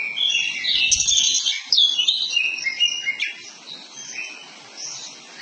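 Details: Poci-type Oriental magpie-robin singing a dense run of high, quick, chattering and whistled notes that gets quieter toward the end, with a soft thump near the start.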